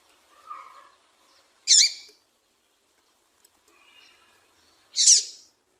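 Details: A female double-collared seedeater gives two sharp, high, buzzy chip notes about three seconds apart, with faint softer twittering between them; this female call is played to make males start singing.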